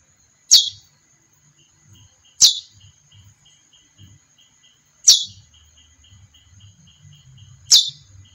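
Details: Four crisp, falling chirps from a female chestnut-bellied seed finch, spaced roughly two and a half seconds apart, against a steady high electronic-like tone, soft regular ticks and a quiet low rumble.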